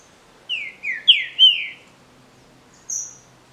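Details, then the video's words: A captive green-winged saltator in a song contest sings a quick run of four loud, slurred whistles, each dropping in pitch, then a thin, higher note after a short pause. "DISPUTA DE CANTO (TRINCA FERRO)"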